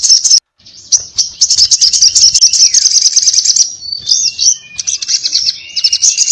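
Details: Sunbird known locally as sogon, in loud 'ngobra' fighting song: continuous high, rapid buzzing chatter, then a run of looping whistled notes and thin descending slurs mixed with further quick trills.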